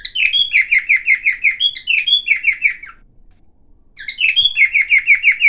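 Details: Cockatiel of the silver variety produces bursts of fast, repeated falling chirps with occasional whistled upslurs, a second of silence mid-clip, then the chirping series resumes.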